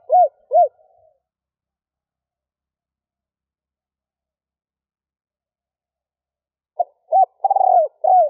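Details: Female spotted dove giving a stuttering coo with a three-part ending, meant to excite males. Two arched low hoots are followed by a long silence, then a stuttering phrase with a short note, hoots and a throbbing falling coo.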